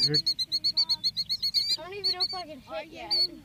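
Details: Killdeer calling near their eggs as people approach too closely, protecting the nest; a fast series of sharp, high, evenly spaced notes, about ten in under two seconds, then people talking over fainter calls.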